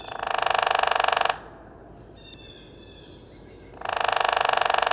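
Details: Hairy Woodpecker drumming against a tree: two rapid, even rolls lasting just over a second each, separated by a pause of about two and a half seconds, with a faint high thin sound between.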